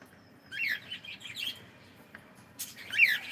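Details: Cockatiel kept as a pet, reportedly greeting with good morning: a quick run of soft warbling chirps, a pause, then one sharper downslurred squeak near the end.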